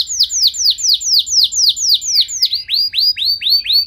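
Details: Canary in elaborate song urging other canaries to sing: a series of clear downward-sliding whistles repeated about twice per second, changing to rising, arched whistled notes.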